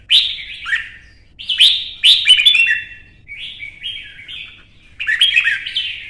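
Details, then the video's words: Red-whiskered bulbul kept in a cage in Vietnam, provoked to compete in song: a string of short, sweet whistled phrases with sharp clicks at their starts, falling slurs and brief pauses between them. "CHÀO MÀO | Kích ché đấu hót căng lửa"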